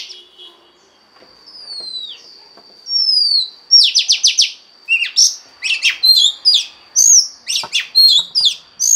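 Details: Oriental magpie-robin female singing to stir a male: soft falling whistles, a quick series of buzzy downslurs, then a busy varied run of chirps, trills and sharp whistled notes.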